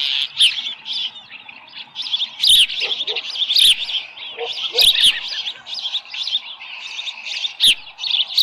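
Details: At the Dunrovin Ranch nest, an osprey with a small live fish, morning of 13 July 2018 about 7:10; shrill whistled chirping repeats almost without pause, swelling every second or so, with occasional low knocks beneath.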